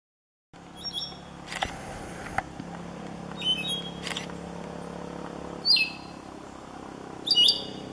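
An Andean Solitaire gives slow, sparse, high, thin whistled notes, some sliding downward, a few seconds apart, over a soft low background hum and a few faint clicks.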